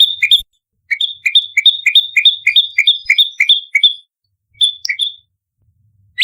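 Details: Bar-winged prinia fighting sound used as a lure. A rapid series of two-part chirps, low then high and clear, runs for about three seconds, then a brief pause and a few scattered chirps.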